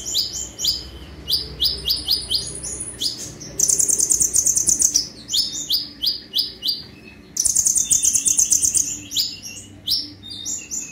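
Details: Lively sunbird song mixing series of quick sharp chirps with long rapid buzzy trills, the pattern repeating through the recording.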